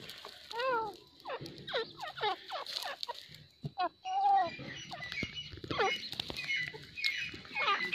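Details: Grey francolin call: a series of harmonic notes that bend up and down, given in quick bursts and short phrases. Fainter chirps from other birds are heard in the background.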